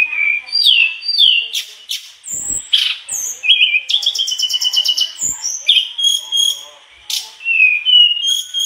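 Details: Energetic mangrove blue flycatcher song full of copied phrases: falling whistles, chips and rattling buzzy notes mixed with sweet slurred whistles, and a few clicks.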